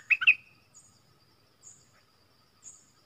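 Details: Streak-eared bulbul kept as a decoy bird to lure wild birds, recorded January 2021: a quick burst of three bright chirpy notes at the start, then faint thin high notes spaced about a second apart in quiet surroundings.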